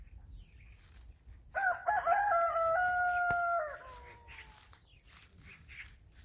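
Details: Chicken (Gallus gallus domesticus), crow.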